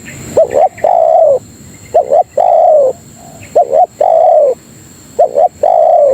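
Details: Tekukur, the spotted dove, cooing as a lure to call companions: brief double notes leading into a sustained, mellow low coo, the phrase repeated regularly roughly every 1.6 seconds, clear and loud.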